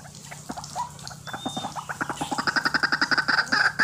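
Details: White-breasted waterhen calling, a recording used to lure birds for trapping: harsh croaking notes repeated about four times a second, growing louder and more ringing toward the end, over a steady low hum.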